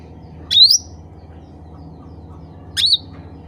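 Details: Black-capped bulbul calling to others of its kind: two short, clear whistled notes rising sharply, about two seconds apart, over a low steady background hum.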